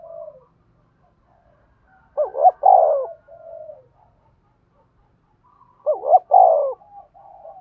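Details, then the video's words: Spotted dove calling as a trapping decoy with birdlime: two emphatic coo phrases about four seconds apart, each a quavering double note and a falling coo, with gentle low coos between. "tiếng cu gáy mồi chuẩn gáy gọi và THÚC dùng kích bổi hiệu quả nhất"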